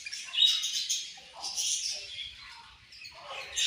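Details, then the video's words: A group of Australian budgie parrots chatters in high, rapid warbling chirps, with bright squeaky bursts near the half-second and one-and-a-half-second marks, easing off toward the end. "Australian Budgie Parrots Chirping Sounds"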